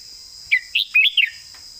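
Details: Red-whiskered bulbul master song for songbird competition: a single crisp phrase of four or five bouncing, slurred whistles in under a second, backed by a constant high-pitched drone.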